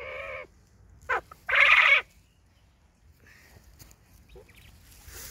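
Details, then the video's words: Song of a male tuxedo quail filmed in a garden with hens: a buzzy note, a sharp short click-like call, then a loud, rasping half-second burst, followed by faint background sounds. "caille tuxedo mâle chant"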